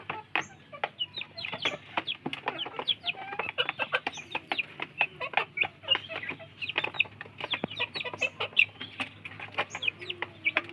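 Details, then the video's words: Native village chicks compete over feed: dense rapid clicking, likely pecking, dominates, with scattered high thin peeps from several chicks across the whole stretch. "Anak Ayam Kampung Berebut Makan, LUCU Suara Ayam"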